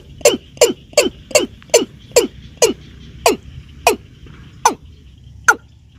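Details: A Watercock (keb-keb), recorded for hunters to use as a lure, gives eleven short, hollow, low knocking notes, quick at first and then spaced out as the series slows; faint steady hiss behind.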